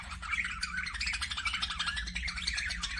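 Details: Busy budgerigar chatter: rapid, overlapping chirps and harsh little squawks run together into an unbroken warble, backed by a faint low mechanical hum.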